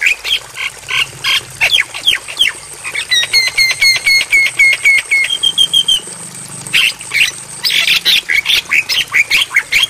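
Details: Javan myna training song for night playback: rhythmic harsh chattering notes, then a run of clear repeated whistles that ends in a held note, then renewed fast raspy chatter, over a faint steady hiss.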